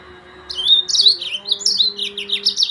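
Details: Yellow-fronted canary singing: after a quiet start, a lively stream of high, twittering and slurred notes tumbling up and down, with a soft continuous low hum in the background.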